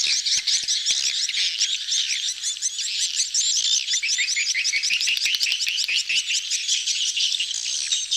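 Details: Mating swiftlets gathered in a noisy crowd, the betompok style; layered sharp twitters and fast ticking rattles pour out continuously, a few brighter whistled notes rising above the throng.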